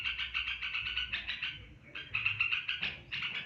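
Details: Rapid stuttering chatter from an olive-winged bulbul in its long ngebren panjang song, fast repeated pulses with a short dip in the middle before the rattling resumes; low background rumble.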